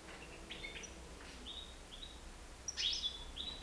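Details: European goldfinch, nine months old, loose indoors in a living room, uttering brief high whistled notes in a loose series ending in a louder twittering burst, over steady low room hum.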